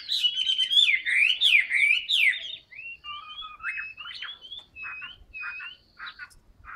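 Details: Chinese hwamei kept in a cage, singing loud looping whistled phrases that rise and fall, followed by a string of shorter clear whistles and clipped notes repeated nearly three times per second.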